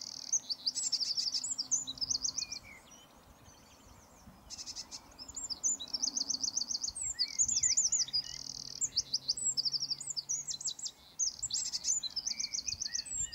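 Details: Eurasian wren singing several loud, high bursts. Each burst mixes rapid trills, looping whistles and scratchy notes, separated by short pauses, over a faint low hum.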